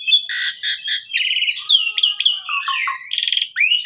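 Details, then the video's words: Asian pied starling singing a fast, jumbled run of harsh buzzy chatters, creaky notes and sharp rising whistles, changing phrase every half second or so. "Pancingan Jalak Suren Cocok Buat Masteran Burung Kenari"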